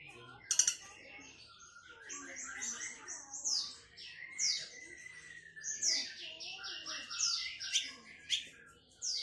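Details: Sunda bush warbler, known locally as tledekan melayu, singing a long varied high song of whistled sweeps, buzzy trills and sharp notes, with rapid rising and falling phrases.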